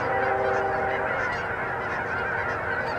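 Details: Canada geese, thousands on a pond in Hutchinson, Kansas, on January 25, 2011, honking in a dense, continuous overlapping chorus of many birds with no gaps between calls.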